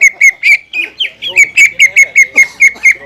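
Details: Caged greater green leafbird repeating a crisp, slightly downslurred whistled note about four to five times a second, with a brief warbled break partway through.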